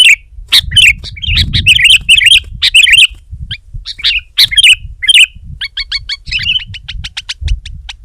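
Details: Sooty-headed bulbul singing hard against a rival: bursts of bright, chattering chirps with sharp clicks, then a quick even series of short repeated notes near the end, with faint low rumbling underneath.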